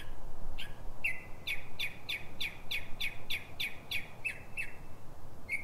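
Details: Nighttime Northern mockingbird in Silver Spring, Maryland, USA, singing at 3:44 am before dawn: a rapid, steady string of about a dozen identical sharp chirps, evenly spaced several per second, with faint background rumble.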